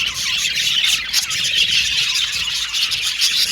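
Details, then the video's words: Flock of Australian budgies chirping happily, a dense, continuous mass of high chattering, squawky tweets and short trills with no pauses, many birds calling over one another throughout. "Beautiful Cute Budgies Chirping Sound | Australian budgies Singing sound"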